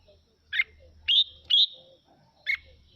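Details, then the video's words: Red-whiskered bulbul singing to spur other birds to sing back. A few sharp notes are followed by two drawn-out, rising whistled phrases close together, then another short note. "Mào Mộc Hót Hay Kích Chim Hót Theo Để Lên Lửa"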